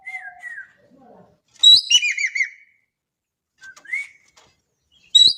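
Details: Javan kingfisher from Indonesia, described as a lively, vocal caller: soft slurred whistles, then a loud burst of harsh down-curving notes, a pause, a short rising note, and a sudden sharp final burst.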